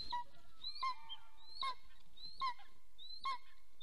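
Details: Golden eagle at its nest in Soomaa National Park, southwestern Estonia, during mating on 17 March 2024, nest camera recording; five fainter downslurred yelps about 0.8 s apart over a low rumbling background.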